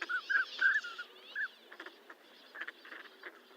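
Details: Northern pintail uttering a quick run of short whistled notes early on, then quieter clicks and murmurs in the background.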